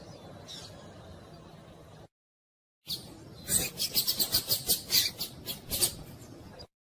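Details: Female Double-collared seedeater calling to excite a male so he will sing: after a faint start and a short silent gap, a rapid run of high, sharp chirps repeats about four times a second over a soft background hiss.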